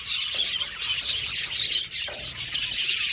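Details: Caged budgie colony giving constant bright chirps and brief squawks, many birds calling at once in a thick, lively chatter.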